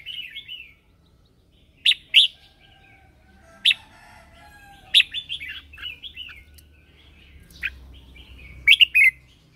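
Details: Red-whiskered bulbul lure bird singing in the morning to call wild birds and stir others to sing: short warbled, slurred phrases broken by sharp loud chips at irregular intervals over nearly ten seconds, with quiet gaps between.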